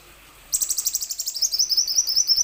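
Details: Plain sunbird song used to encourage other sunbirds to sing: a sudden, rapid, steady trill of very high, sharp notes running for about two seconds.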